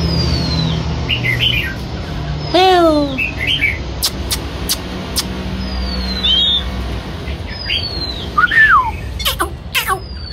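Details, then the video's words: Oriental magpie-robin singing while dancing: sparse long falling whistles, a stacked swooping note and brief scratchy phrases, separated by gaps, over a steady low rumble like traffic. "choè than hót múa"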